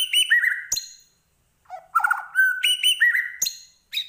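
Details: Medan white-rumped shama, Indonesia, giving full varied song: quick rising and falling whistled notes, a sharp snap, a short pause, then buzzy warbles and a level whistle.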